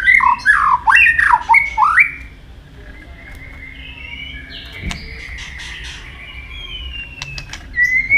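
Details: White-rumped shama giving a fighting song used for training: two seconds of loud, tumbling slurred whistles, then thin, faint high notes over a quiet background with one sharp click.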